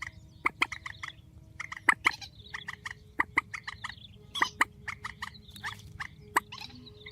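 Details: Grey-headed swamphen giving strong, repeated nasal notes in rapid runs, broken by loud sharp accents about once a second, with a faint low hum throughout.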